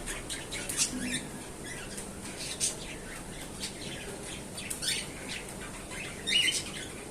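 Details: A pet cockatiel in the morning gives harsh, scratchy squawks in short bursts, spaced irregularly every second or two.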